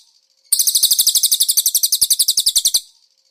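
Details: Konin song with cililin-type fill-ins, from a master recording used to train cage birds: a single two-second trill of quick, shrill, evenly repeated high notes that ends cleanly.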